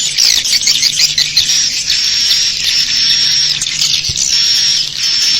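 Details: Roost-luring swiftlet call: a quick series of high chirps at the start, then constant shrill twittering and thin whistles over a faint low hum.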